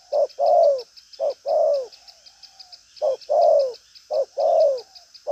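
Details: Spotted dove of the 'đồng pha chân cua' sort, firm voice and busy style, pressing coos with a trailing note: four low short-long coo pairs, each long note falling and tailing off faintly, with rhythmic insect chirps high above.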